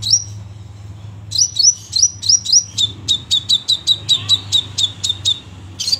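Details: Crimson sunbird in energetic song: a few thin upslurred whistles, a short pause, then a quick run of sharp high tick notes repeated several times a second.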